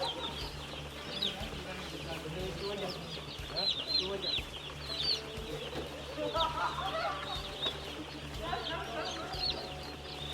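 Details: Broiler chicks peeping as a flock, a dense chorus of short high rising-and-falling cheeps overlapping continuously, with a steady low mechanical hum underneath and some lower tonal sounds midway.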